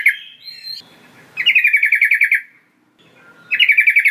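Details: Sooty-headed bulbul (trucukan) call used to lure young wild birds: a short opening chirp, then two fast rattling bursts of pulsed, buzzy notes, the second after a brief silence.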